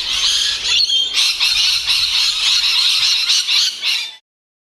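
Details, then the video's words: Rainbow lorikeets at feeding time, a parrot species of Australia: rapid, harsh screeching squawks tumbling over one another in a loud unbroken burst of about four seconds, then sudden silence. "Beautiful rainbow lorikeets|| it is time for feeding and enjoying."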